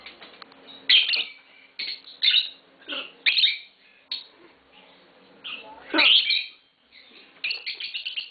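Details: Green Fischer's lovebird pair chirping and squawking: harsh, high chirps in bursts about once a second, with quieter chatter between and faint voices in the background.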